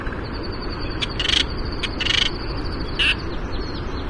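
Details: Black noddy of the Hawaiian race melanogenys, a seabird nesting on shoreline rock cliffs, giving three short, harsh, rasping croaks about a second apart, over a steady low rumble of surf or wind and a faint high whine.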